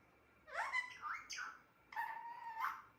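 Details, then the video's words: A pet parrot says two brief speech-like phrases, the first with swooping inflections and the second flatter and drawn out, indoors in quiet surroundings. "Talking parrot"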